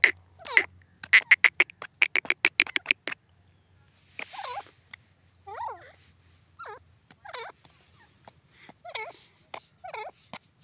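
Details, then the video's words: Loud, clear calling of a grey francolin (dakhni teetar): a quick volley of sharp ticking notes, followed by spaced, wavering, slurred calls every second or so in a quiet background. "grey francolin sound"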